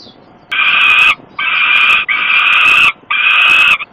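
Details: Hungry peregrine-type falcon chick crying for food at a nest site in Włocławek, Poland, late May evening, as the father brings prey; loud harsh drawn-out wails, four long cries in sequence with short gaps.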